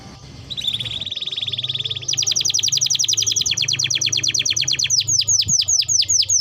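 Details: Spirited canary song recorded for training birds: a rolling trill builds in loudness, shifts to a faster, higher pulsed series, and ends in a chain of sharply descending whistled notes.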